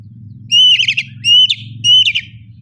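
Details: Oriental magpie-robin in ngeplong style; three loud phrases, each a level whistle breaking into a rapid buzzy trill, roughly every 0.7 seconds, with a low hum underneath.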